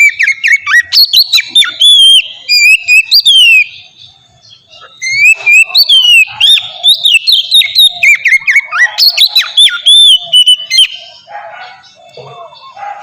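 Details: Oriental magpie-robin singing, meant to set off song in other magpie-robins: long bursts of loud, varied whistles, rising slurs and sharp high notes, broken by a short silence midway, fading to quieter sounds at the end.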